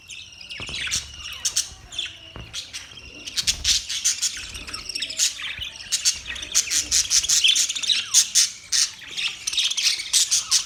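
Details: Budgerigars chirping together in a flock: dense, overlapping high chirps and warbles with rapid clicking bursts and scratchy notes, rising in intensity toward the end.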